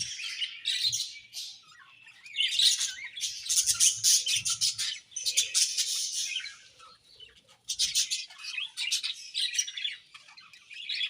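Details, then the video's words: Budgies chirping while eating: dense bursts of high, scratchy chirps and warbles come in clusters, with short quieter gaps between the bursts. "Budgies Chirping Sounds While Eating"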